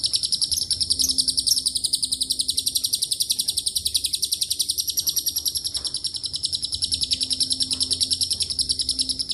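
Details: Extended lovebird ngekek song including cililin and canary phrases, used to rouse other lovebirds: sustained shrill chattering trill, fast regular pulses, a few brief higher notes early on, soft hum underneath.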